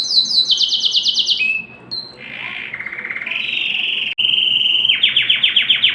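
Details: Canary song to stimulate hens for mating: quick high trills dropping to lower notes, a short buzzy burst, a steady rattling trill, a smooth whistle, then fast repeated trilled notes.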